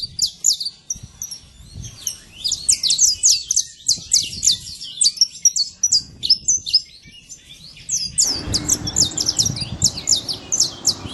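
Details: Saffron finch living free in nature pours out high chirping phrases of quick repeated notes; a hiss of background noise rises in the last few seconds.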